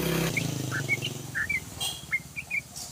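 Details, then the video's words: Yellow-vented bulbul singing in the rapid, continuous ropelan style: short whistled notes, some rising and some falling, come in quick irregular bursts after a passing motorcycle or engine roar fades, with a low engine hum underneath. "ROPELAN BURUNG TRUCUKAN PANJANG❗❗❗TRUCUKAN GACOR❗❗❗"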